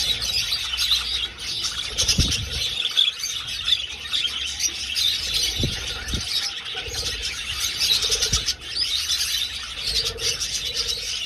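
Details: Budgerigars in an old aviary, flying: an unbroken mass of shrill chirps and chatter, a few lower coo-like notes, and several dull thumps.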